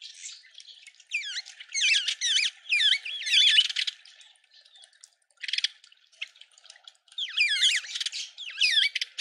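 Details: Red-winged starling (Onychognathus morio) in a suburban garden in Pretoria, South Africa, giving bursts of squeaky, sharply rising and falling notes in two chattering runs separated by a brief pause.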